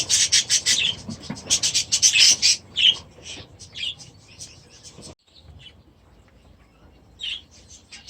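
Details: Young budgerigars in their new aviary during their first days there, giving quick series of sharp high chirps for about five seconds, then sparse single calls after a brief drop-off.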